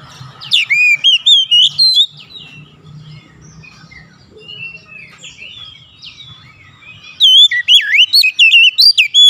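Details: White-rumped shama singing as a lure to set other shamas off: rich, fluty whistled phrases with swooping notes in two loud bursts, a softer chattering interlude between them, and a faint low rumble.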